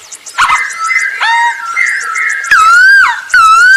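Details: Masked laughingthrush singing to lure other birds into song: long, drawn-out whistled notes that dip and rise, broken by short harsh onsets.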